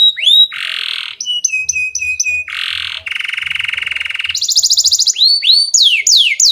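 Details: Long-duration canary song used to train juvenile canaries: rising whistles, a harsh buzzy burst, a series of clipped notes, a long low rolling rattle, then a very high fast trill and swooping whistles.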